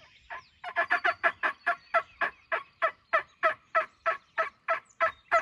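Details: Wild turkey in spring, a pressured gobbler accompanied by many hens, near its roost at daylight during a hunt. Loud harsh, hoarse notes repeated steadily about three times a second, roughly eighteen in a row, with a quiet background.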